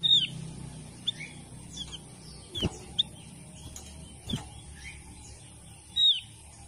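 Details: Javan grey-throated white-eye, a protected species with a declining population, giving its call: short, high chirps spaced irregularly about every second, with a louder burst at start and end and a few sharp clicks.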